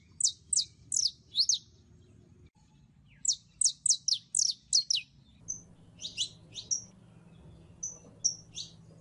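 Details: Female canary in heat calling to attract a male for mating, with quick runs of sharp, downslurred high tweets, a brief break, another fast burst, then slower isolated thin whistles, over low steady hum.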